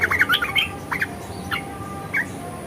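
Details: Red-eyed bulbul singing in a chattering, ngeriwik and ngebren style: short squeaky, warbled notes around mid-high pitch in quick bursts, with a steady background hum.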